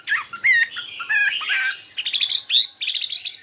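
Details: Chinese hwamei contest singing: a mix of quick varied whistled notes, a long high downslurred whistle, then rapid chattering, stuttered phrases in a many-voiced run.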